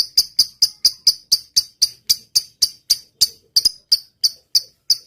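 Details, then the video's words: Lovebird singing in the long typing style, 'ngetik panjang', for training other birds: sharp high clicks evenly spaced about three per second, slightly slowing near the end. "suara burung lovebird gacor.. ngetik panjang.. lb sekampung langsung rame"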